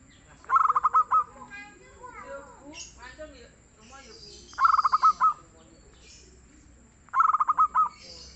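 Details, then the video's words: A local zebra dove sings in a mellow, lively manner, repeating three rapid phrases of low hollow cooing pulses, each ending in drawn-out notes, spaced about two to four seconds apart; other birds twitter and warble between. "SUARA BURUNG PERKUTUT LOKAL YANG GACOR DAN EMPUK"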